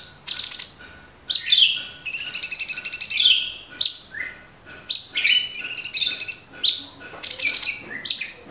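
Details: Cage-bird training master of an Orange-bellied Leafbird's tembakan song: dense, high trilled phrases mixed with sharp rising whistles and lower slurred notes, delivered almost nonstop with brief gaps.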